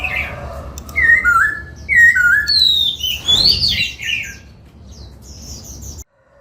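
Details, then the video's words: Laughingthrush singing and dancing during song training in the 'bắt cô trói cột' voice style: loud whistled phrases with slurred, wavering notes, dropping then climbing higher, a noisy burst midway, then faint high chirps of other small birds. "Khướu hót múa, Luyện Khướu hót giọng bắt cô trói cột, Tiếng chim Khướu hót"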